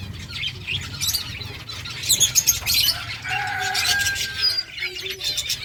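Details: Several finches in a colony chirp together while eating egg food, a busy mix of thin, high tweets and short notes with some wing flutters and light rustling.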